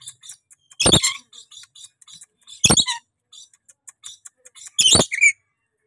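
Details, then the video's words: A tame, chatty rainbow lorikeet kept as a pet gives three loud, grating screeches about two seconds apart, with light ticking and chatter in the quiet gaps. "BURUNG NURI PELANGI JINAK BANGET LUCU GACOR POOL"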